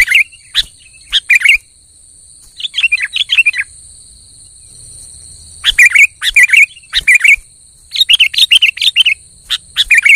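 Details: Energetic sooty-headed bulbul song meant to stir a silent bird into singing: separate clusters of quick, liquid, chattering notes with short pauses between bursts, against a faint constant high-pitched hum.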